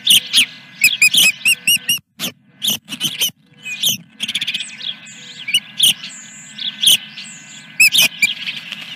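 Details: Dunrovin Ranch osprey, early morning of 3 May 2021 with the first fish: bursts of rapid, high whistled chirps, breaking off and resuming in quick volleys, with a few softer, drawn-out notes and a steady low hum behind.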